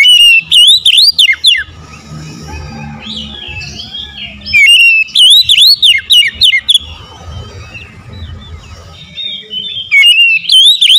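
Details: Oriental magpie-robin song: strong runs of sharp, looping whistled notes, about a dozen per burst, recurring three times, with faint chirps and a low hum filling the gaps.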